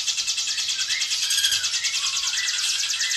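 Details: Hill prinia singing a fast, dense gacor ngebren speed rapat song used as a masteran recording to train caged birds: a continuous high, buzzy trill of rapid notes held steady for three seconds, with faint lower slurred notes beneath.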